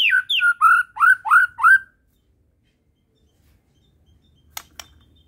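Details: White-rumped shama of the Medan type giving five quick, rich whistled notes, each sliding downward, then falling silent apart from faint clicks.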